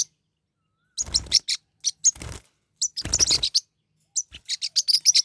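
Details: Pet Forpus parrotlets squabbling in a fight: short clusters of shrill, rasping chirps alternate with silences, ending in a quick series of sharp high notes.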